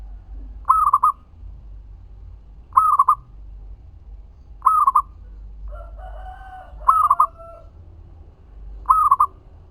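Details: Local zebra dove song used as a lure to make other doves answer: a cooing phrase of a drawn-out note and quick clipped notes, repeated about every two seconds, five times, with another harsher stacked call midway over low hum.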